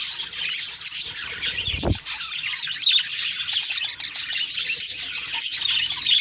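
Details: Budgerigars in the morning, a dense continuous chatter of high chirps, warbles and squeaks from several birds, with one brief low thump near the two-second mark.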